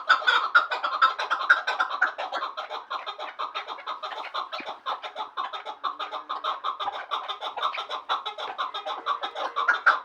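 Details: Two chukar partridges from Vanj calling steadily for the full stretch, a rapid stream of harsh, clucking chuck notes, several per second, overlapping and fairly even in loudness, with no other clear sounds.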